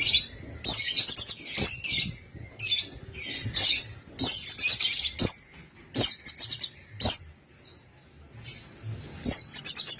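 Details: Orange-headed thrush song, played to prompt other caged birds to sing: high, sharp whistled phrases with quick rattling trills, delivered in bursts about every second with brief pauses, over faint low background noise.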